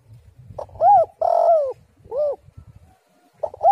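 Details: Female spotted dove lure call: a series of arched, hoarse coos, one drawn-out and slightly descending, separated by brief pauses with low murmuring between notes.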